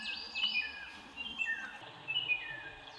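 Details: White-whiskered laughingthrush, also called Formosan laughing thrush, giving overlapping whistled phrases, some notes sliding down and others held level, repeated in short bursts about every second against soft background hiss.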